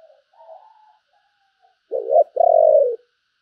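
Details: Decoy spotted dove, a handsome caged bird, giving its calling coo: faint soft murmured notes, then two loud hoarse low coos, the second drawn out and slightly falling.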